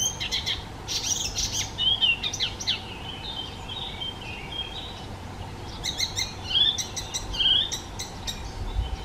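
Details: Icterine warbler singing a lively medley of high whistles, squeaky notes and rattling clicks, imitating other birds, in two long bursts separated by a short quieter gap.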